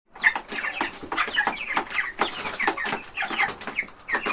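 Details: Baby chickens eating from a trough in a large farm chicken house: a dense chorus of short, high cheeps and clucks overlapping from many birds, with bursts of rapid chirping throughout.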